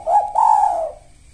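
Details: Spotted dove giving one low coo, a short rising note and then a longer drawn-out falling coo that fades away.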